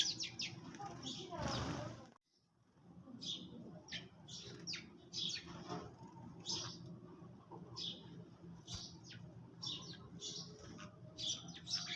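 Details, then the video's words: Early-morning sparrows chirping as they eat: many quick, high chirps in loose bursts. A brief rushing noise comes near the start, followed by a short pause, and a low hum runs underneath. "Sparrows _ little birds_ chirping sound"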